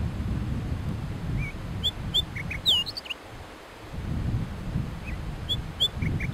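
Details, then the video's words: Rufous fieldwren singing; short, separate high whistled notes, some slurred or hooked, spaced irregularly over about six seconds, with a low rumbling background that drops away midway. "kicauan rufous fieldwren"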